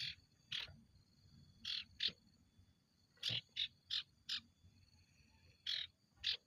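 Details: Ashy tailorbird (sirtu) in 'konslet' singing mode, kept for prompting other birds: about a dozen short, rasping buzzy notes in loose clusters, some paired quickly, with a steady low hum and rumble underneath.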